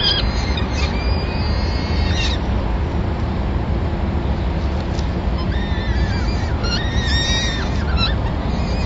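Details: During the first feeding of the day at a peregrine falcon nest in Madrid, 26 April 2016, the male brings a small bird for the chicks. Harmonic calls open the clip, a quieter stretch follows, then more bent calls, all over loud low rumble.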